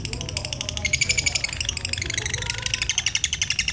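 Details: Lutino lovebird with black eyes, kept as a lure to stimulate other lovebirds. It gives a ngekek song: a fast, dry, pulsed chatter of about ten notes a second that grows denser after the first second, over a low background hum.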